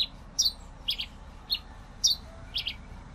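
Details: Song of the Pileated finch, a series of brief sharp high chirps repeated about twice per second, some doubled, against quiet low background hum.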